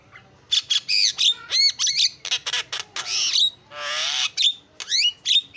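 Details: Starling lure song: staccato clicks and squeaky upslurred whistles, a longer harsh grating phrase, then a broad rasping screech followed by quick chirps and a clear ringing whistle.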